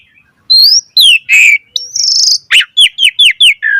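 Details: Varied song of an Asian pied starling, played to train other starlings: a high rising whistle and a falling slur, a harsh grating note, a long buzzy trill, then five quick descending chirps in a row.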